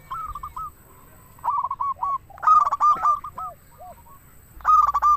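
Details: Zebra dove of local stock in full song, delivering clipped, rhythmic cooing phrases about every second and a half. Loud harsh-edged bursts mix with softer rolling notes and brief low hooting coos.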